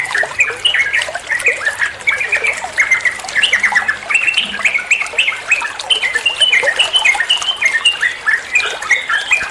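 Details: Yellow-vented bulbul in ropel style, recorded as a master song for other songbirds to learn: busy, unbroken chatter of quick slurred notes, jumbled and rhythmic, over a hissy background.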